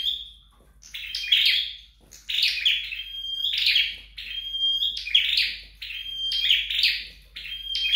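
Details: Scarlet-backed flowerpecker being trained at home: around six lively phrases of buzzy, tinkling high notes, with long flat whistles between the louder bursts.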